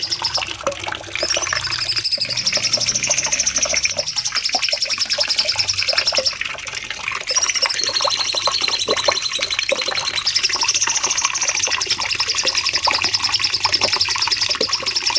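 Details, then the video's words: Cucak cungkok bulbul delivering extended song for training caged songbirds: fast, busy twittering and chirps laced with long high whistled strands that rise and waver, against constant hissing, water-like noise throughout. "Masteran Cucak Cungkok nembak panjang"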